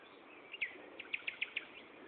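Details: Nightingale song phrase recorded at Gaasperzoom, 16 May 2012, mid-afternoon: a run of six bright, evenly spaced notes, each a quick clipped chirp, set against a constant hiss.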